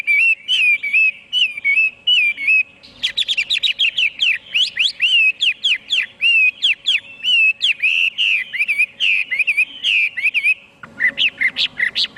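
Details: Long, energetic hwamei song: looping whistled phrases at first, then a fast torrent of varied rising and dipping notes, a short gap near eleven seconds, and renewed rapid whistles; steady faint hum.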